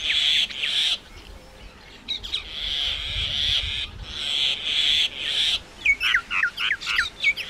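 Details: Indian myna singing a string of rasping, churring phrases separated by short gaps, closing with a flurry of sharp, rising and falling whistled notes.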